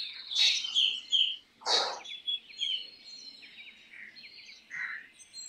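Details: Black drongo song: bright, high, squeaky notes, a loud harsh rasp, then a quick series of chirps and ticking notes, ending with a lower slurred whistle.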